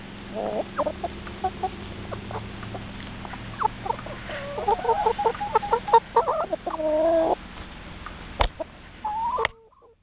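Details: Four- to five-month-old hens up close, giving soft scattered clucks and short murmuring, warbling calls that build into a busier run of chatter midway, with a sharp knock near the end.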